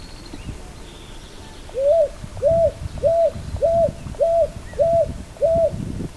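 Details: Picui ground dove calling: a series of seven short, soft, arched coos at even spacing, roughly one every 0.6 seconds, over low background rumble and faint distant chirps.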